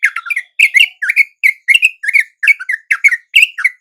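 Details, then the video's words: Sooty-headed bulbul answering a same-species lure at dawn after swooping in: rapid, steady run of bubbly whistled phrases, two or three linked notes each, repeated about twice a second without pause. No other sounds. "RATA-RATA TRUCUK macet LANGSUNG NYAMBER dan IKUT BUNYI dengan pikat TRUCUK shubuh ini"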